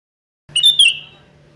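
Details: Sooty-headed bulbul calling to challenge a rival: a short burst of two or three bright, slurred whistled notes, then a quick fade, over a faint low hum.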